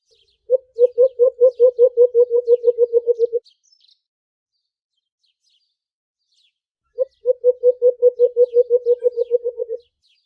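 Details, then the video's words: Aggressive fighting call of the white-eared brown dove (alimokon): two long series of low, hollow, evenly pitched notes, each about twenty quick hoots lasting roughly three seconds, separated by a silent gap, with faint thin chirps from other birds behind. "Aggressive fighting,White Eared-brown Dove call | Huni nang Alimokon"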